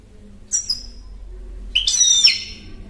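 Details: European goldfinch giving two brief high phrases: a thin descending twitter, then after a second's pause a fuller, rapid tinkling burst with a slightly buzzy finish, over faint low background hum.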